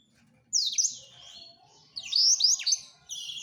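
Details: Male black-throated canary serenading a female with two loud phrases of slurred descending whistles and twitters separated by a quieter interval.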